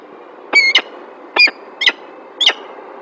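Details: Female peregrine falcon at a nest site in Alphen aan den Rijn, Netherlands, on 9 December 2022; four loud, grating double-noted calls with a squealing edge, spaced about half a second to a second apart, over low hum.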